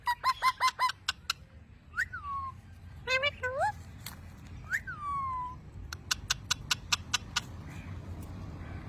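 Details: A talking parrot, locally mian mithu, opens with rapid repeated harmonic chirps, then gives falling and rising whistles and ends with a steady string of sharp clicking notes over low background hum.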